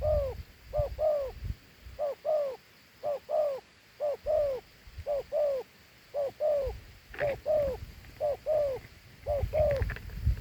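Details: Large, fine dove coos its two-note phrase over and over: a short note, then a longer descending note. About a dozen pairs come in steady succession, with low rumbling noise and occasional faint clicks.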